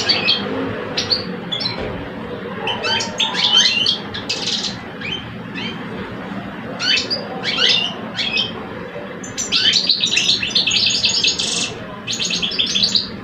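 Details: Two caged male European goldfinches from Algeria, one mature and one aged two, compete in song. Scattered tinkling chirps build into a loud, dense burst of buzzy twittering near the end, over a steady low rumble.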